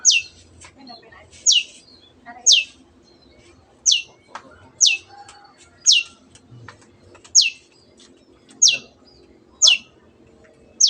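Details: Long-tailed shrike singing gacor to provoke silent birds: a steady sequence of brief, sharp, downward-sweeping notes about once a second for eleven seconds, above a faint background hiss and clicks.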